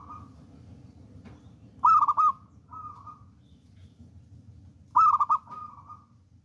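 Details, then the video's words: Zebra dove of local wild stock, a confident and vigorous singer used to lure and tutor other doves. Soft cooing lead-ins followed by loud, fluttering trilled coos, two full phrases over quiet background hum. "PERKUTUT LOKAL ALAM GACOR"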